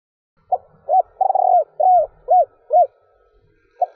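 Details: Female spotted dove's three-ending stuttering coo, given to excite males: low soft note, rolling trill into a long falling coo, three arched hoots, and the start of a new phrase, with faint low background rumble.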